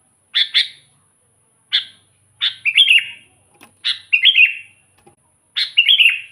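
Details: Sooty-headed bulbul singing as a lure for wild bulbuls; short double chirps alternating with bubbly three-note warbled phrases, repeated at irregular intervals in an otherwise quiet setting.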